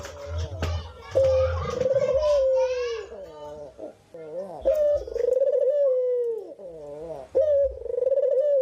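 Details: Cinnamon-headed green pigeon singing actively: low, wavering whistled phrases that bend up, hold steady, then slide down, with jerky trilled notes between them and repeated every few seconds, plus faint low rumbling beneath.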